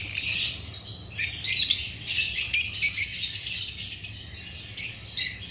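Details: A brief high chirp from African lovebirds (Agapornis) is followed by a long run of rapid, shrill twittering, a pause, then another short burst of high chatter.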